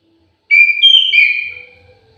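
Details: Single sweet whistled phrase from an aviary orange-headed thrush, a steady clear tone that bends and fades over about a second and a half.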